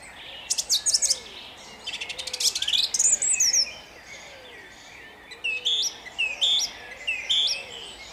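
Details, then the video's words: Song thrush sings at dawn on 29 April 2021 in Jabłonna, Poland: a burst of rapid, scratchy, varied notes, then one bright whistled phrase repeated three times in steady succession. "Drozd śpiewak śpiewa o świcie"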